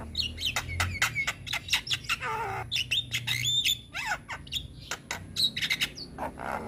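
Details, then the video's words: Chatty young Javan myna pours out a varied song: rapid sharp clicks, looping squeaky whistles, a descending nasal note and V-shaped slurred whistles, with a faint low hum beneath. "Masteran Burung Jalak Muda - Jalak Kebo gacor Banyak Isian"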